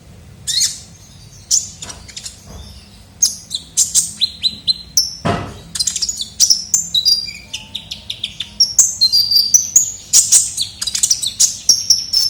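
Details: Kolibri ninja sunbird in a lively lure recording for attracting birds: scattered high chirps building into continuous rapid twittering and whistled very high notes.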